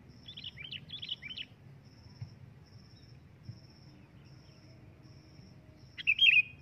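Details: Sooty-headed bulbul giving loud calls: soft chattering notes early on, a long quiet gap, then one sharp, bright phrase near the end. A steady ticking insect pulse runs throughout over a low background rumble.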